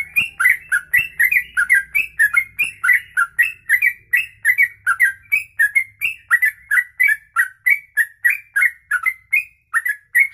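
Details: Trucuk, the yellow-vented bulbul, in long 'ropelan panjang' song used for tutoring caged birds: steady run of short bubbly whistled phrases, each a rising-falling two-note chirp, about three every second, with faint low hum early on.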